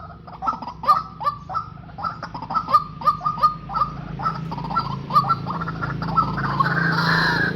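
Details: A decoy pair of white-breasted waterhens, male and female, kept for trapping, gives a run of quick repeated yelping notes for about six seconds. Rising hissing noise then drowns the calls near the end.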